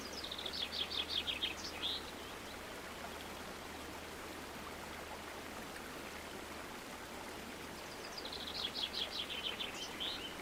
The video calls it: Calming Sound of Water and Birds